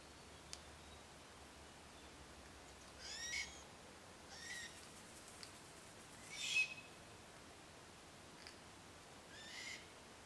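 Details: A juvenile glossy black cockatoo, with two adults feeding on casuarina cones near Koorawatha, NSW, in December 2012, gives harsh, wheezy, rasping calls, four in about ten seconds at an uneven pace, with faint clicks between.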